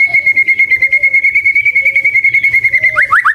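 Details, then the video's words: White-rumped shama (murai batu) delivering a long, steady pulsed whistle held on one pitch, rapidly repeated, with a soft low cooing note recurring underneath, ending in quick downward-slurred notes. "Murai Batu Gacor dengan Suara Merdu"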